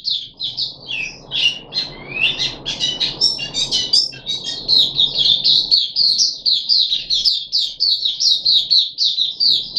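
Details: Caged puff-backed bulbul on its third day of deworming treatment, 14 July 2021, singing a fast run of high chirpy, warbling notes that rise and fall in quick overlapping phrases, with a low indoor hum behind.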